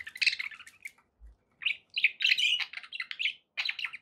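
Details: Short burst of pet budgie chatter: fast chirps and warbles, a brief silence with a soft low thump, then more scratchy twittering phrases.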